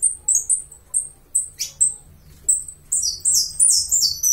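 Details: High, clear, downslurred chirps from a Uruguayan saffron finch, spaced unevenly, building into a dense, bubbling burst of rapid, overlapping notes near the end.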